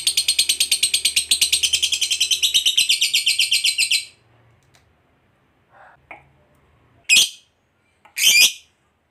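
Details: Lovebird long trill used to get other lovebirds singing: rapid high chattering trill for about four seconds, then quiet with faint notes and two sharp high squawks near the end.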